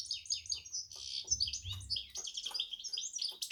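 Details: Goldfinch-canary hybrid sings a brisk series of high, sliding chirps and chattering trills, with a faint low hum beneath.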